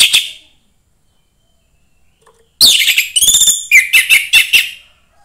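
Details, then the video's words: Orange-headed thrush, a young bird from the forest, sings to stir other thrushes. A brief note opens, then after a pause comes a loud two-second run of varied whistles, trills and sliding notes, each rapidly repeated. "suara anis merah MUDA HUTAN meningkatkan felling anis merah lain"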